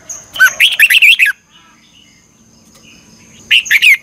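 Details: Red-whiskered bulbul at morning song practice in the 'ché' style with a double-twisted voice, delivering one rapid phrase of rising and falling liquid whistles, a pause, then the start of the next.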